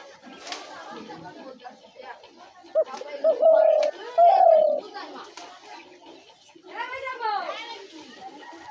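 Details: Spotted dove calling for trapping doves: two loud sustained coos in the middle, with people talking throughout and a burst of wavering, chirping sounds near the end.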